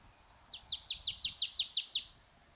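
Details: Marsh tit singing in winter, often heard on warm, bright winter days: its usual song type, a monotone run of nine identical high, sharply falling notes, about five per second, over faint low background noise.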